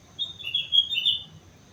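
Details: Sooty-headed bulbul from Mount Slamet delivering a single warbled phrase of rising and falling whistled notes, lasting about a second.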